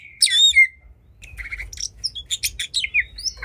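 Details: Oriental magpie-robin singing in an agitated, combative state: a clear sweeping whistle, then a short pause, quick repeated chirps and staccato harsh notes with falling whistled slurs.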